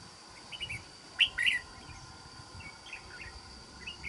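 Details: Red-whiskered bulbul, wild-caught, with a good island-forest voice and used as a trapping bird, sings one quick, bright two-part warble, with faint scattered chirps and a constant high hiss.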